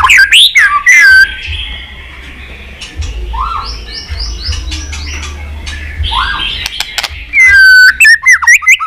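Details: White-rumped shama singing many voices in the líu twittering style to draw a young bird into fighting song: loud slurred whistles at the start, quieter warbling and chirps in the middle, then rapid bright whistled flourishes.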